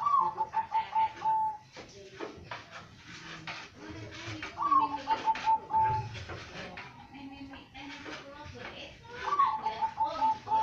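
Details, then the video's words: Captive zebra dove, one of a collection kept for varied voices and cooing styles, repeating its phrase three times about every four and a half seconds: a brief upward note, then rapid level coos, over steady murmuring voices and room noise. "Perkutut master gacor"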